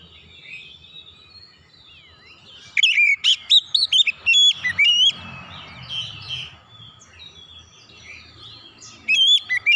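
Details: Oriental magpie-robin, a soft whistle, then a loud burst of eight or so sharp sweeping notes, quieter warbling, and another short loud burst at the end.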